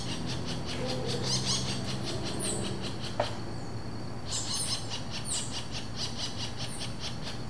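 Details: Wild pair of Robust Woodpeckers exchanging interaction calls, Vargem Grande Paulista, São Paulo, Brazil, April 2023, Zoom H4n, no playback: two long series of rapid grating notes separated by a pause, with a single sharp click and light hiss.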